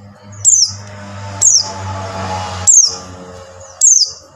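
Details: Buxtoni white-eye call, used as a lure to get silent white-eyes singing: four sharp, high notes sliding downward, spaced about a second apart, over a steady low hum and broadband background noise.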